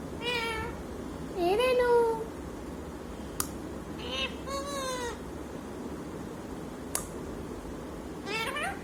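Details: Talking parrot, called bolanewala tota in Marathi, giving several short harmonic, speech-like utterances with gliding and bending pitch, separated by pauses, plus two sharp clicks, indoors against a steady low background hum.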